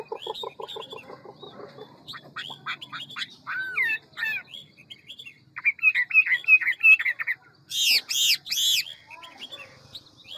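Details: Hwamei, a large handsome bird singing in the ngũ trường style with a forest voice, quick and many-voiced: low repeated pulsed notes give way to rapid whistled slurs, buzzy trills and loud rising-falling phrases, with a faint low hum.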